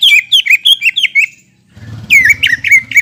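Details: Greater green leafbird singing as a lure to stimulate birds after moulting: quick phrases of clear descending whistles, a brief pause, then another burst of ringing whistled notes over faint low hum.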